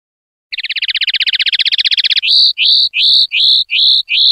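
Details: Common linnet singing in clean style for silvestrismo: a fast chattering trill of about two seconds, then slower, evenly spaced upward-flicked whistled notes roughly every half second, with no background noise.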